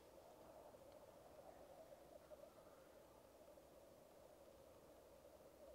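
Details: Black grouse lek in full flow: a dense, even bubbling drone of low cooing carries on steadily, with a faint brief higher note just after two seconds. Recorded on a camera-mounted Rode Videomic Go.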